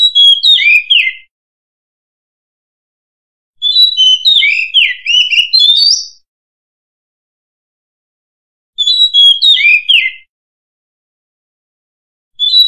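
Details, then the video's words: An Oriental magpie-robin (murai kampung) sings short bursts of clear, varied whistles and slurred notes, each one to two seconds, separated by silent pauses; volume boosted for clarity. "Suara Denak Murai Kampung"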